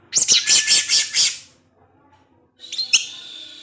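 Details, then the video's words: Orange-headed thrush kept as a cage bird, ngecip ngecis teler style: a loud, dense, harsh chattering burst of about six rapid pulses, a second of quiet, then a thin whistled note with faint background hiss. "ANIS MERAH SUSAH BUNYI PASTI NGEPLONG DENGAR SUARA NGECIP NGECIS TELER INI"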